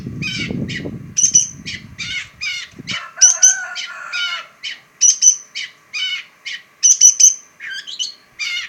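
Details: Singing pentet, or long-tailed shrike: rapid chips and ringing high notes in short clusters every couple of seconds, with a lower buzzy note in the middle and a rumble at the start.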